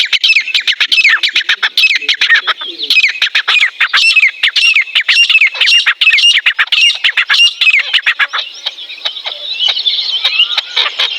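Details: Teetar partridge calling in the wild in mating season: rapid series of harsh, squeaky rising notes repeated in quick bursts, followed by a busier chirping chorus and sharp clicks toward the end.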